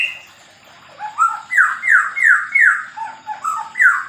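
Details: White-rumped shama (murai batu, Medan type) in a mini aviary during pairing. It sings a run of loud, clear whistled phrases, each sliding downward, repeated about every half second, with softer higher notes mixed in.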